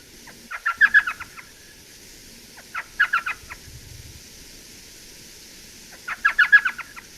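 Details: Elf owl in southeast Arizona, where it is listened for in March about half an hour after dusk, giving three bursts of quick, yipping notes that chatter like a small laugh, each under a second, over a faint hum.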